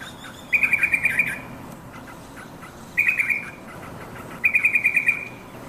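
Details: Yellow-vented bulbul calling to its companions, a lure for caged birds; three separate bursts of rapid bubbly chattering notes, each about a second long, with quiet gaps between and faint background hiss.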